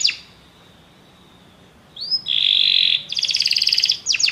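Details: Canaries singing after hearing music: quiet start, then a rising whistle, a sustained buzzy trill and rapid pulsed trills in the last second and a half.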